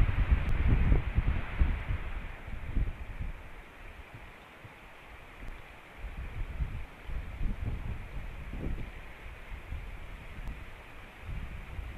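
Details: Steady wind roaring and buffeting a microphone, with rumbling gusts and no animal voices.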